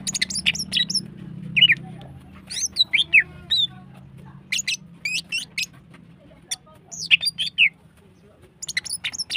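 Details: Female greater green leafbird in energetic, long-firing song meant to bring other birds into breeding mood: scattered bright chirps and short whistled slurs, some rising then falling, in quick bursts separated by brief pauses over a low hum.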